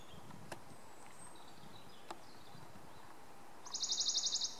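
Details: A Western Bonelli's warbler at Hourtin beach, France, gives a short, dry trill of about a dozen quick high notes on one pitch, over a steady hiss of background noise and two faint clicks.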